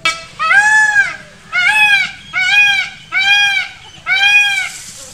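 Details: Calling peacock during a display dance, giving five strong wailing honks, arched in pitch and rich in overtones, spaced just under a second apart, over a quiet low background hum.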